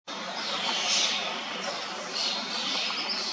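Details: Adult and fledged young common starlings feeding in a tall sweet cherry tree in Hrodna city, western Belarus, early summer (June): harsh, raspy, continuous begging calls with a few thin high whistles mixed in, against faint outdoor background noise.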